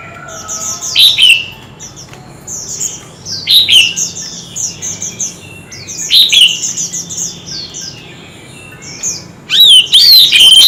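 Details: Oriental magpie-robin singing hard in a duel, with many voices. Whistled phrases slide down from high notes and repeat about every two to three seconds. Softer high notes fill the pauses.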